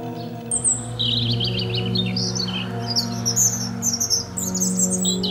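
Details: A European robin sings: a high opening note, then a descending stutter of quick trills, followed by scattered very high twinkling notes, all over a continuous low humming musical background.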